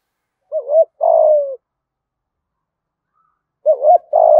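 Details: Spotted dove repeating its 'thúc gù' lure coo twice, about three seconds apart. Each phrase is a wavering double note and then a long, burry, falling coo. There is silence in between.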